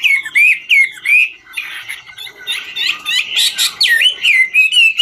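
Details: Chinese hwamei, 'ngũ trường' singer dancing as it sings; a few clear slurred whistles, then a stretch of harsh buzzy chatter, returning to rising whistled notes near the end.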